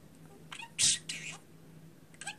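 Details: Pet budgerigar indoors, said to drop swear words, chattering in raspy, broadband squawks and chirps with one loud harsh burst near the middle, over a steady low hum.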